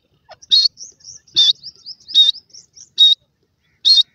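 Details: Fighting grey francolin chicks give loud, high, shrill piping notes, roughly once a second, interspersed with faint, thin, high twitters.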